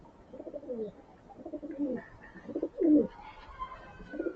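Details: Several pigeons fed grain in the morning, making soft, low bubbling coos in repeated bursts, one louder throaty coo near the end, and a faint higher bird chirp in the background.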